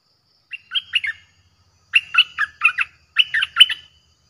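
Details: Streak-eared bulbul in fierce song, played to draw in wild birds: three short phrases of fast, jerky chirping notes separated by pauses, the later phrases longer and denser.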